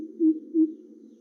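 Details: Greater Coucal (Centropus sinensis) recorded in a garden in western Thailand: two deep, resonant hooting notes about a third of a second apart, low and hollow, over a quiet background.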